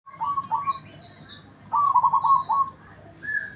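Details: Local zebra dove with a big, round, cool voice, suitable as a tutor recording: short low trilled coos near the same pitch, then a longer rolling trilled phrase, with higher chirps from other birds overlapping.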